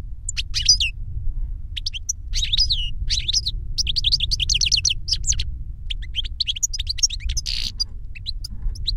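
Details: Goldfinch song used by an older bird teaching a younger goldfinch: bursts of tinkling, twittering notes separated by short pauses, with constant low background hum.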